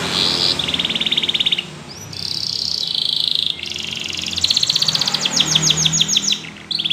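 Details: Yellow canary singing, meant to encourage other canaries to sing: high rapid trills held steady, broken by short gaps, then a fast series of downward-sweeping notes near the end.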